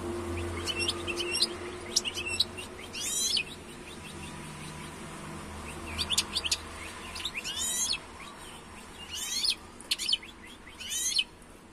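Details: European goldfinch song: scattered bursts of high, tinkling twitter and quick buzzy descending notes, heard over a steady low hum and background rumble.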